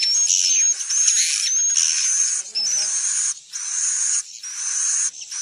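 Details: Roost-attracting swiftlet call meant to bring more swiftlets into a building; long grating high buzzes with a faint whistled streak, broken by short pauses about every second.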